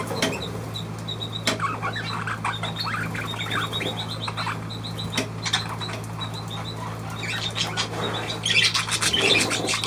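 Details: Budgerigar warbling: strings of small repeated chirps and clicks, roughly one to two per second, with a louder rush of scratchy chatter at the end; steady low hum throughout.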